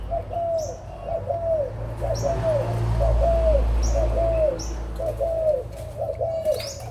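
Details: Adult spotted doves, Malaysian and Thai birds, on 16 March 2022, give a run of clear arched cooing notes about every second over a low rumble, with thin high chirps from other small birds.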